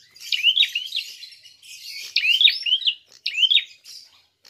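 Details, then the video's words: Prinia calling aggressively to provoke other birds, with three bursts of sharp, rising chirps, each burst a rapid run of high, bright notes. "Prenjak tarung gacor!!"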